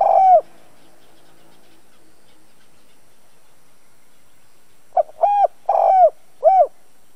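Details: Spotted dove lure bird cooing to attract wild doves: a phrase ending at the start, a long silence, then a fresh phrase of a short note and three deep, rounded coos.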